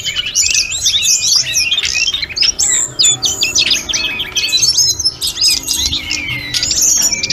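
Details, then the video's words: Continuous snowy-browed flycatcher song used for tutoring other birds. Rapid high whistles and sharp chirps tumble together in varied, jumbled phrases, with a few short breaks. Faint background rumble. "Masteran sulingan gunung full isian || Tledekan gunung gacor || Sulgun nyuling-nyuling"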